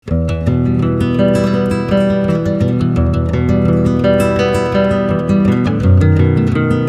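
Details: Strummed acoustic guitar plays throughout, with no animal voice.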